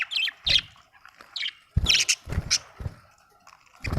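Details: Budgerigars chirping with squeaky, bright notes in clusters, mixed with repeated low knocks or thumps and a soft constant hum.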